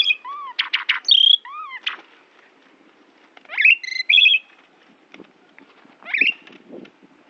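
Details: Asian pied myna from Central Java singing a varied song filled with imitations of other birds, including white-rumped shama, orange-headed thrush, canary, prinia and Bali myna: loud clear whistles, rising and falling slurs, buzzy notes, in separate bursts with short pauses.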